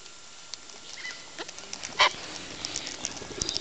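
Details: A single short, harsh, raspy squawk from a wild Eastern long-billed corella feeding at Neil Hawkins Park rises out of quiet surroundings, with soft clicks and taps before and after it.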